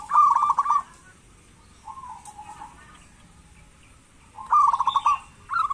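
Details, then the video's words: Local zebra dove calling actively as a lure for lazy doves: a loud rolling trill, a quieter drawn-out note in the gap, then another rapid trilled phrase and the start of a third. "Perkutut lokal gacor pancingan perkutut malas agar bunyi"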